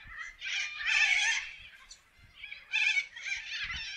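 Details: Wild corellas in an Australian forest, a flock of parrots giving harsh, raspy screeches in two bursts with a short quieter gap between them.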